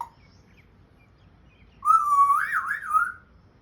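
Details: An African grey parrot kept as a pet, vocalising as it tries to talk: one clear warbling whistle that wobbles up and down several times before fading, in a quiet room.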